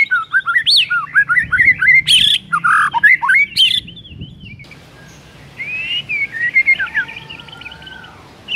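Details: White-rumped shama singing energetically in the morning with a varied repertoire: a dense stream of loud, jumbled whistles, harsh squawks and rising slurs, then softer quick whistled phrases with a faint lower whistle.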